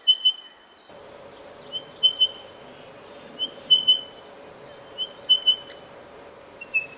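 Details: Male spotted pardalote calling at his nesting tunnel in a bank in Australia; clear, high whistled notes in pairs, repeated every second or so over a faint steady background hum.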